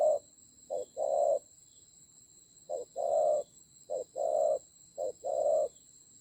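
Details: Fighting decoy spotted dove in Vietnam's Central Highlands, 19/10/2020, giving low coo pairs, a clipped note before a longer one, irregularly spaced with a gap, over two steady high electronic tones.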